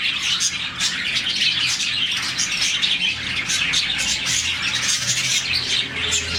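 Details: About 40 colony budgies give morning chirping, the sound they make when happy. Quick, high, overlapping chirps and twitters form a constant chattering chorus.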